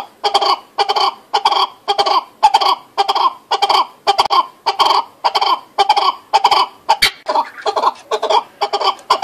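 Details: Close chukar partridge giving a fast, rhythmic chain of harsh, cackling chuck notes, about two per second, steady throughout.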